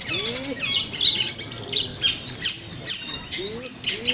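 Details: A long-tailed shrike at a bird-song practice contest in Manden pours out a rapid, varied run of high chirps, trills and borrowed notes, over soft low rising whistles and faint background chatter.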